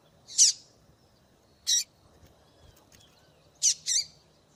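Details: Female double-collared seedeater calling to stimulate males: harsh high-pitched chirps, a single note, another, then a quick double call near the end, with quiet background.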